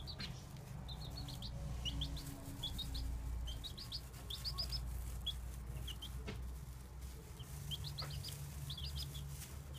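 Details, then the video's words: Several baby chicks give quick high peeps in scattered bursts against a constant low hum and soft rustling. "Baby chicks"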